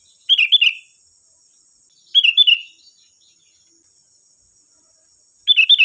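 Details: Sooty-headed bulbul used as a calling lure to draw replies from other bulbuls repeats a quick three-note bubbling phrase about every two and a half seconds against a faint constant high whine.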